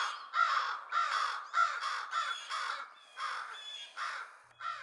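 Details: Several crows mobbing an owl in daytime, calling loudly to summon others and drive it away, with harsh, hoarse caws, about eight in five seconds, overlapping into a relentless ragged chorus.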